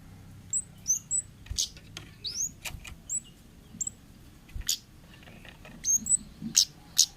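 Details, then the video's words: Wild orange-headed thrush from the forest, recorded as lure material for young birds. High, thin chirps and sharp up-flicked notes come in loose bursts, mixed with a few broadband clicks and taps over a low murmur. "suara burung Kemade ngalas"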